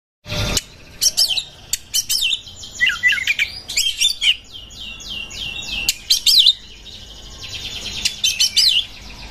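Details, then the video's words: Oriental magpie-robin in breeding condition, song used to provoke other birds: loud varied whistles, sharp upswept notes and buzzy rattling phrases in bursts, with short pauses between. "PANCINGAN KACER 2023/2024 HOT 🔴 KACER CEPAT JEBOL BIRAHI DONGKRAK EMOSI"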